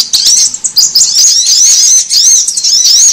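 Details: High, thin sunbird twittering meant to lure birds in: rapid rising and falling chips blur into a steady, shrill chatter across the whole stretch.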